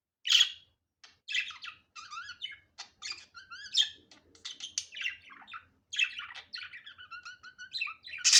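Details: Budgerigar in natural, unedited sound, giving a lively warble of quick twitters, rattling buzzes and short rising whistles, opening and ending with loud squeaky calls.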